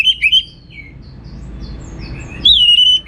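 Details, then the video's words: Orange-headed thrush singing in teler style: a few fluting whistled notes open the phrase, a brief quiet gap follows, then a longer clear wavering whistle ends it. "Suara Gacor Burung Anis Merah Teler Materi Melimpah"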